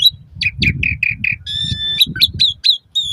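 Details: Asian pied starling singing, meant for training caged birds morning and evening: a run of short slurred whistles repeated about five times per second, then a sustained pure whistle and sharp upslurred notes, over a low rumble.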